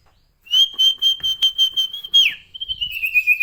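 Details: Sirtu bird singing energetically: a long, steady, high whistled note pulsing in regular beats about four times a second, then a quick falling slur and a second, slightly wavering sustained whistle.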